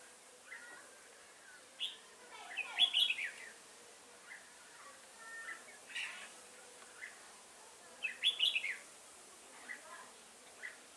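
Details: Red-whiskered bulbul at a trap, 15 September 2018, singing scattered bright chirped phrases over eleven seconds, with two louder warbled bursts and softer notes between.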